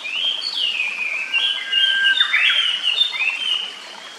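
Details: Near its nest in a still forest with a clear stream, a Japanese paradise flycatcher sings long drawn-out whistled notes that glide down and up, linked in a flowing phrase, then fades to quiet running-water hiss.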